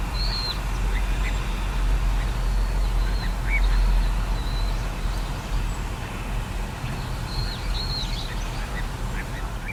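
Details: Little ringed plover recorded on 14 April 2021: scattered high, thin, descending piping notes, singly and in short runs, over loud low rumbling background noise.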